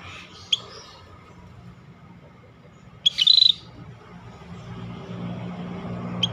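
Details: Scaly-breasted bulbul, called rare and in full song: one brief, high, rattling burst in the middle, with faint isolated ticks before and after it and a low background hum.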